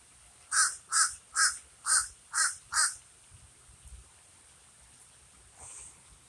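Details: A common raven gives six rasping caws in quick succession, then falls quiet apart from faint background rustles.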